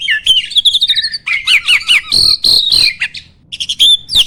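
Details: Starling singing as a training recording meant to provoke other birds into song: trilled chips, sweeping whistles and rapid chattering notes in quick succession, with a few sharp upslurred whistles near the end.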